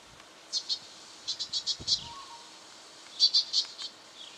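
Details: Brown treecreeper in Victoria, Australia, October 2011, gives sharp, high 'spink' notes in short bursts of two to four, about a dozen in all, with one brief low thump partway through.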